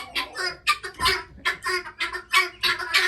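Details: Guineafowl coming home to roost at night as they are locked up: harsh, rasping calls in rapid irregular bursts, about ten in three seconds, with a person's voice close by.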